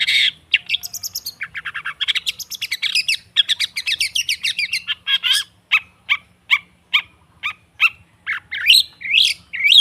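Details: Long-tailed shrike (cendet) pancingan recording, a 'therapy' sound meant to make a stalled caged bird open its beak and sing. A rapid, scratchy chatter of dense notes slows into evenly spaced sharp chips, then ends with squealing, rising notes.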